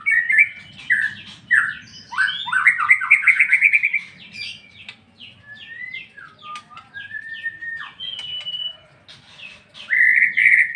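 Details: White-rumped shama in ngeplong song: a rush of rising, chattering notes, then slower, drawn-out whistles sliding down and up, and a final loud burst.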